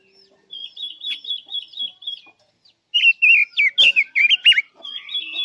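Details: Chinese hwamei in full song, used as trap bait: a gentle wavering whistled trill, a short pause, then a loud run of sharply bent whistles, ending in a high rippling phrase.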